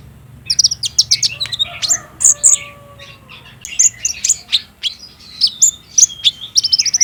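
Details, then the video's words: Olive-backed sunbird, sound played to prompt a captive bird to answer and sing, phone recording: quick high twittering chirps in bursts, sharp clicks, and a faint steady whistle underneath. "PANCINGAN KONIN TROTOL AGAR BUNYI DAN GACOR"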